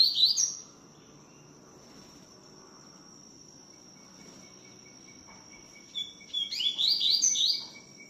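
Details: A double-collared seedeater delivers its tui tiu song: a short note opens, then after a long pause comes a lively series of upswept, buzzy whistles. A steady high tone and a faint pulsing trill run beneath.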